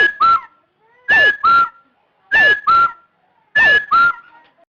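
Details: Loud, slightly distorted partridge whistles in pairs, a slurred note then a level lower one, four pairs at intervals of about 1.2 seconds with silence between.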